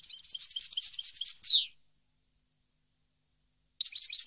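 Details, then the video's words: European goldfinch song, 2015: the tail of a quick twittering phrase ending in a buzzy falling note, two seconds of silence, then another burst of rapid high chirps begins. "Goldfinch song 2015/ Canto Jilguero Parva 2015"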